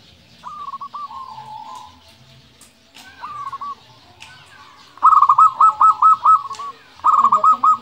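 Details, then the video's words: Local zebra dove in full song, a 'nembak' style recording used as a lure to stir rival doves and prompt quiet birds to sing: clear ringing coos near one pitch, short trilled phrases, then bursts of rapid repeated bubbling notes. "Perkutut lokal gacor Suara Nembak Untuk Pancingan 100% Langsung Nyaut"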